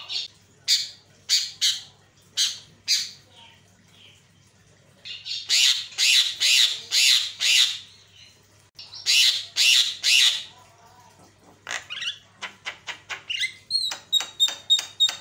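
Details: Javan myna lure sound used to provoke other mynas: loud harsh squawks in spaced bursts, then fast rasping series, ending with rapid clear whistled pips about twice a second.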